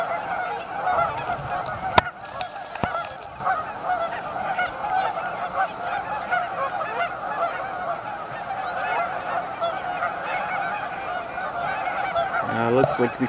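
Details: Canada geese massed at a staging area on Amber Trails Lake in Winnipeg, Canada, giving a dense, continuous chorus of overlapping nasal honks that never pause, with one sharp click near the start.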